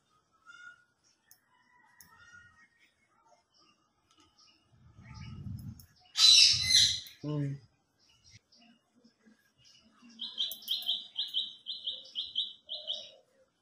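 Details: Indian ringneck parrot, a talking pet parrot: a loud broadband squawk burst mid-way with low rumbling, then a run of about eight harsh, rapidly repeated high notes near the end, with scattered faint chirps earlier.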